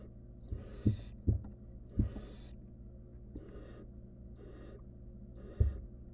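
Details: Barn owl nestling in a wild, monitored nest box, trying to eat a stolen rodent on its own, utters five harsh, airy hisses, some close together, against bumps and scratching.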